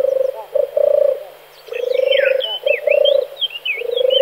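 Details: Song of a male European turtle dove, low rolling purrs repeated in quick sequence, while another songbird adds rapid high twittering phrases overhead.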